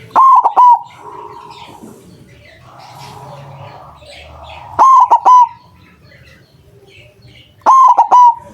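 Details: Loud-voiced white zebra dove used as a lure for catching doves; three-note cooing bursts recur roughly every three seconds, with faint rustling and a soft background hum between phrases.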